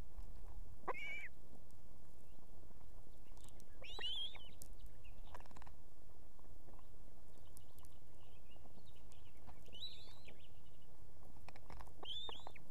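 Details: Estonian osprey nest with a female and two chicks; she calls the male in with food. Several short arched whistles spread across the stretch, some faint, over steady hiss.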